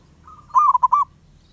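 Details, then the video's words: Wild zebra dove that will not keep still gives a soft introductory trill leading into a loud, rolling coo of four quick fluty notes at even pitch, over a faint low hum. "Burung perkutut Liar gak mau diam."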